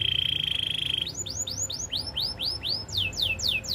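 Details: Belgian canary training song. It opens with a steady, even, high trill for a second, then moves into a series of clear whistled notes sweeping downward, repeated roughly four times a second, over a faint low hum.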